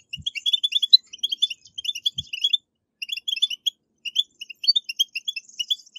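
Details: Song of the European goldfinch, a 'betbetat' recording played to prompt caged goldfinches into singing: quick liquid twitters and chirps in runs of about a second, broken by short gaps, with two faint low thumps.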